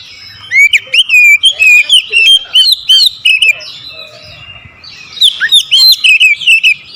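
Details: Provoked to challenge a rival, an oriental magpie-robin delivers two bursts of loud, fast, varied whistles with rising slurs and sharp clicks, separated by a short quiet gap.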